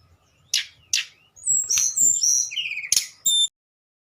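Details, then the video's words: Tledekan songbird singing in a flute-like style: short bursts of high sharp notes, then a run of clear whistled and trilled phrases, some sliding downward, ending with a pure high whistle. "Burung tledekan nyuling"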